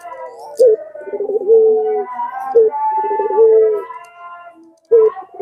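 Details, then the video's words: Puter pelung Barbary dove lure call: two phrases each opening with a sharp note, then a quavering roll easing into a level coo, with a softer trailing tone and a final clipped note. "Pancingan Suara Puter"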